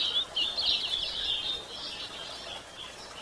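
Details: Female White-throated Seedeater calling to excite males, giving a rapid jumble of high, slightly buzzy chirps that run together, fading a little toward the end over faint hiss.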